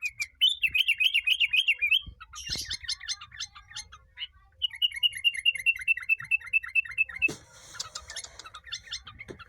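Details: Caged sooty-headed bulbul from Tegal, Indonesia, reared by hand, with long-tailed-shrike-style song: a loud rolling series of looped whistles, harsh chatter, then a fast even run of short downslurred notes, and a brief rustling noise.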